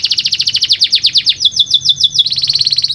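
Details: Canary song meant to prompt lazy caged birds into singing: a fast, rhythmic trill of repeated downward-sweeping notes, about ten per second, shifting into a steadier buzzy roll near the end.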